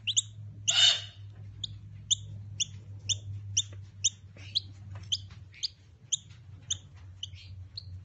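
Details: Hand-raised Noisy Miner chicks being taught to self-feed; a burst of harsh rasping noise early, then a long series of short bright two-tone chirps spaced roughly half a second apart, with a low background hum.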